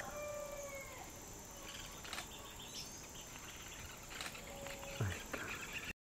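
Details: A White-eared Jacamar (Galbalcyrhynchus leucotis) in Amazonian rainforest gives a drawn-out, slightly falling whistle, then a fainter short note later, over steady forest hiss with a few sharp clicks and knocks.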